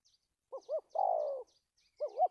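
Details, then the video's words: Decoy spotted dove used for trapping, singing a stuttering 'cà lăm' coo with two or three lead notes, dated 1/3/19: two short bent notes, then a long level low coo, then two more short notes, in a quiet setting. "Bẫy cu gáy bổi cà lăm 2 3 tiếng đầu"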